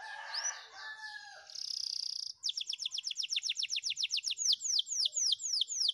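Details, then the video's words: A Spanish Timbrado canary training song: varied high warbles and a buzzy trill, then a fast run of sharp, down-slurred notes repeated about four times a second. "Effective Canary Training, Your Canary Will Love The Song!!!"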